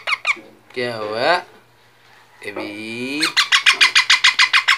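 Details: Talking parrot producing two drawn-out, voice-like mimicked phrases with wavering tone, followed by a quick run of about ten sharp, regularly spaced squawky notes, with short clicks at the start.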